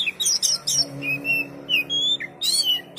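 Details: Short stretch of oriental magpie-robin song with a few bright chirps, then clear sustained whistles and a rising slur, each note separated by a brief gap.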